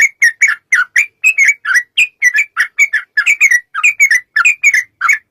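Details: Sooty-headed bulbul in a long, rapid fighting song as a lure: clean, continuous rolling series of warbled, whistled notes at an even, quick tempo.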